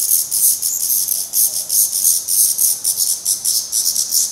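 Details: Black redstart fledglings with down still on their heads, fed by their parents at a nest in Portugal. A continuous, loud chorus of high, harsh, pulsing hisses repeats rapidly throughout.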